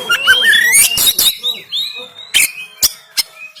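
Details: Oriental magpie-robin in Banten, recorded on an Android phone, singing a harsh 'tembakan kasar' used to rouse lazy birds to sing and spread their tails. Rising whistles open, then loud rasping bursts and sharp clipped notes follow with gaps.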